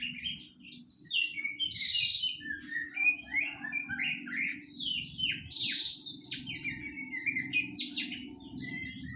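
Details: Practising white-rumped shama, a juvenile of three months, delivers a continuous jumble of quick whistled slurs and scratchy notes over a steady low hum.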